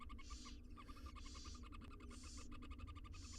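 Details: Barn owl chicks fed in their nest box, all six wild, with harsh hissing screeches alternating with fast rhythmic clicking pulses, dense and overlapping throughout against a low hum.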